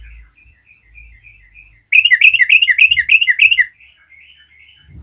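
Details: Yellow-vented bulbul's provoking gacor song: soft scattered chirps, then a loud rapid run of about eight bubbly rasping notes, fading back to quiet chirps over a low rumble.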